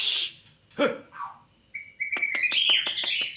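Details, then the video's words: White-rumped shama, a champion singer: a harsh burst and low slurred note, then a sustained rising whistle broken by fast clicking pulses into a buzzy, rattling phrase. "SEPERTI INI SUARA MURAI JUARA"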